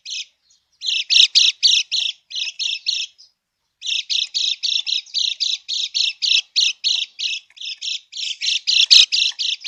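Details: Krekek lure of a lemon-bellied white-eye, used to stir birds that have stopped singing into replying: rapid rasping notes in bursts, about four a second, after a short gap at the start and another near three seconds.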